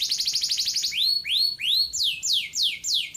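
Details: Kenari, a domestic canary, sings in the gacor durasi style. Fast high chattering notes give way to slower, rising-then-falling whistled slurs, each repeated about three times a second, clear and loud.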